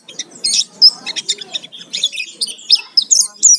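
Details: Oriental white-eye lure song to provoke singing, full of fill-in phrases: jumbled high twitters, buzzy notes and sudden sharp whistles in uneven bursts, with a soft murmur underneath.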